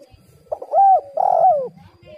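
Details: Female spotted dove call used as a lure: one loud phrase of a brief note then two hollow, level-then-falling coos, trailing off softly.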